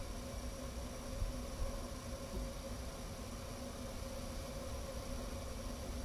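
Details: Steady broadband noise with a low hum and faint tonal lines, and no animal voice anywhere.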